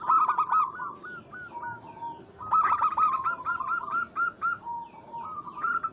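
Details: Zebra dove of local stock calling to a rival, giving two bursts of quick, bubbling coos on an even pitch, each burst ending in a few spaced, longer notes.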